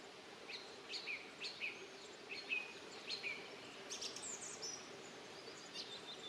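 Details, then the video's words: Song thrush singing bright, high, clipped phrases of quick sharp-note clusters, several per second, over a steady low hum; recorded in early May near its nest, where the male sings long and persistently from treetops from early morning. "A jeśli słyszycie taką piękną pieśń to znaczy że gdzieś w okolicy macie drozda śpiewaka"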